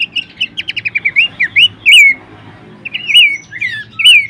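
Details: Bush warbler vocal tutor material: a quick rattle of evenly spaced short notes leads into looping whistles and a long slurred note, then a pause and another twisting whistled phrase.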